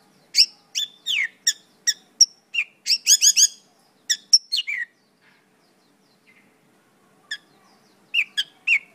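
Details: Mongolian lark delivering a rapid run of sharp chipping notes and quick trills, a pause, then a few more scattered chips.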